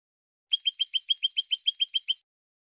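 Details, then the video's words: European goldfinch, 2016 recording: a rapid, even trill of about fourteen identical high, slurred notes packed into under two seconds, then silence. "Cante De Jilguero"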